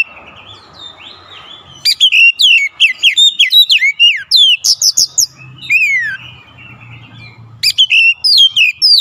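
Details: Oriental magpie-robin, called kacer, persistently unloading its isian song: after a murmuring, hissy start, long runs of loud, swooping whistled notes in fast succession, a noisy lull, then a final bright burst.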